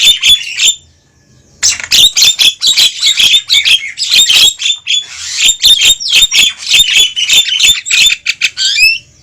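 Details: Javan myna lure calls, played to bring wild birds close to a trap: a busy, rasping stream of squawks, chatters and short whistles, broken by a pause of about a second near the start, then continuing densely.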